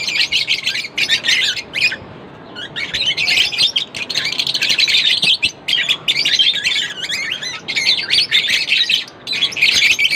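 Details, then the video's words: Lovebirds chirping non-stop: dense, high, buzzy chatter of rapid overlapping chirps and twitters, nearly continuous with brief pauses, a short lull near two seconds. "lovebirds chirping sound Non-Stop"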